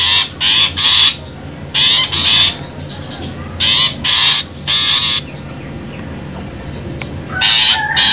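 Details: Long-tailed shrike lure for trapping birds. Harsh, rasping squawks come in pairs and short clusters, separated by quiet stretches of a thin constant high whine. A longer scratchy burst ends the sequence.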